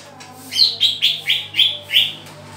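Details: Green leafbird at pairing time delivers six evenly spaced, bright chirps, each a quick slurred note about a quarter second apart, over a low steady hum.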